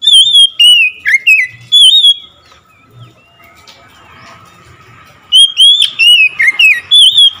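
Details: Oriental magpie-robin answering the song of another magpie-robin with loud whistles, each slurred or dipping. The notes come in two bursts with a long, nearly quiet pause between them.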